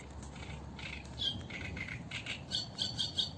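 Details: Eurasian reed warbler recorded live along the Sarno River sings a harsh, chattering string of scratchy notes, several per second, some repeated in pairs, over a low background rumble.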